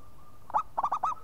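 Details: Single phrase from a local zebra dove in active song: a hooting opening note, then three fast, arched, bubbling coos.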